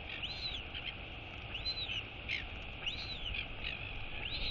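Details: Royal albatross chick, a female, wheeing on 23 August 2022 as her mother arrives to feed her: four arched whistles that rise and fall, coming about every 1.3 seconds over a low steady rumble.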